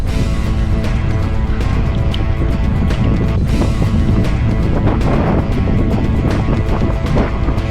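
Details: Loud music over a constant low rumble and wind, with no animal calls heard.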